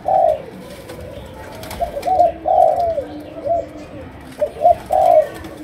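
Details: Low, mellow cooing from a Malaysian spotted dove in the chiêu gù style called sấm đồng: paired and single hoots with a descending slur, separated by pauses of about a second, with faint knocking behind.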